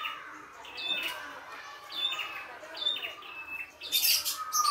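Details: Red-headed prinia singing energetically outdoors. High notes fall in short slurs, with a lower sliding whistle and a brief burst of harsh noise near the end.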